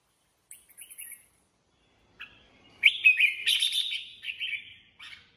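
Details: Kept Red-whiskered Bulbul singing in the improvised 'ché' style. A few soft, high chirps come first, then a loud, rich, warbled phrase of slurred whistles lasting about two seconds, ending with short notes.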